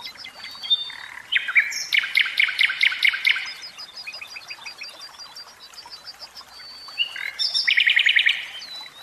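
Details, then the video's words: Common nightingale kept in a cage, delivering loud rattling bursts of repeated notes, brief high whistles and a quieter pause before another fast, rhythmic stuttering phrase. "Chant Ross.Philomele"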